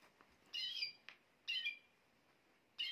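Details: Canary song said to make a female canary quickly take the mating posture: three short, bright chirping bursts, each a cluster of high, clipped notes, separated by brief pauses over a quiet hiss.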